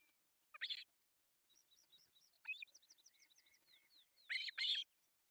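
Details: Three osprey chicks at breakfast feeding on an artificial nest in Pohjois Satakunta, Finland, 1 July 2024, filmed by nest camera: a rapid run of thin rising whistles between loud, rasping chirp bursts.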